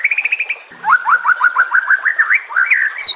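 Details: White-rumped shama song used to lure or train shamas: a fast high trill, then a run of repeated upslurred whistles, about six per second.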